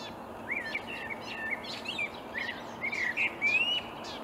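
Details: Marsh warbler in reed, early May morning 2020, Upplands Väsby, Sweden; lively song of quick twisting whistles and scratchy bursts, building toward a stronger run of rising slurred notes near the end.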